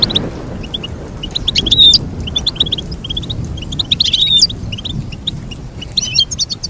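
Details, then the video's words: High, rapid goldfinch twittering, punctuated by two louder complex phrases with sliding whistled notes, over a faint low hum. "Teach your goldfinch to sing beautiful motivational songs"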